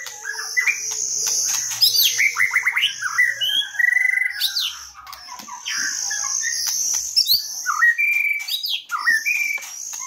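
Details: Lure recording of white-rumped shama singing: a dense, varied stream of quick whistles, rising slurs and fast rattling trills, with a continuous high-pitched whine running underneath throughout.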